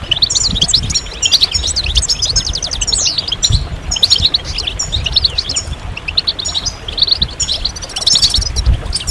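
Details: European goldfinch group song to push males out of moult and silence into singing; bursts of rapid high twittering and tinkling chirps come in waves, with short gaps and a faint low background rumble.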